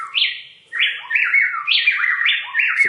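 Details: A male and female pair of Plain-tailed Wrens on high Andean slopes, around 7,500–10,000 ft, duet, alternating loud, rich whistled phrases so rapidly that the rising and falling notes sound like one bird singing.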